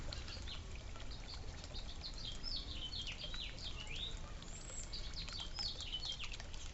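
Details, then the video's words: Suburban birds at a birdfeeder and water fountain, eating and drinking; many high, quick chirps and short sweeping notes overlap throughout, several birds calling at once over a steady low outdoor rumble. "Real Bird Noises, Birds eating and Drinking"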